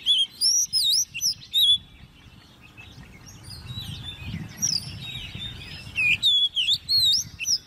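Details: Competition song from a hand-raised, caged ten-month-old Oriental magpie-robin: bursts of high, swooping whistles open and close the passage, separated by a few seconds of near silence with soft background hum.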